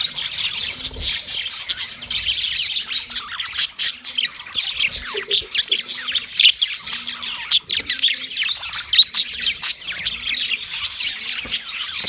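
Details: Yellow male budgerigar giving mating chirps, a steady stream of harsh squawky notes and thin high tweets, some louder sharp chirps standing out, with a soft repeating low hum beneath.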